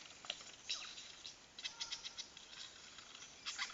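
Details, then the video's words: Lyrebird courting in Dandenong Ranges National Park, imitating blaster noises: scattered sharp clicks and short bursts, with brief tonal sweeps and uneven pauses between sounds. "Lyrebird trying to woo making blaster noises"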